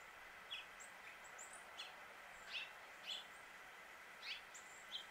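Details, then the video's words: Male House Finch calling in Suffolk, Virginia, USA: short, sharp chirps spaced irregularly about every half second to a second, over a constant low hum. "House Finch Song and Call"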